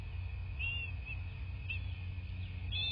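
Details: Bald eagle nest in southwest Florida, camera recording of 26 February 2024, morning; three short, softer upward-sliding whistles roughly a second apart, partly buried in loud low-frequency rumble.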